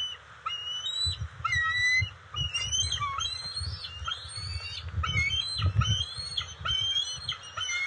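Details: Adult bald eagles and eaglets at a nest on 27 June 2021 during a fish delivery; continuous high, squealing, chattering whistles in quick sequences, with low rustling and thumping from movement at the nest.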